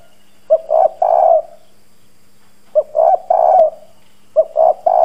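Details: Spotted dove lure bird, hoarse 'giọng đồng' voice, cooing to provoke wild doves. Three husky phrases, each a brief note then two longer rolling coos, separated by about two seconds of near silence with a faint hum.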